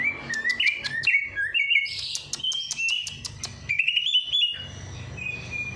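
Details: Bird singing energetically after a night bath to stir lazy birds into song: quick squeaky warbled phrases punctuated by sharp ticking clicks, then a smooth rising run of whistles.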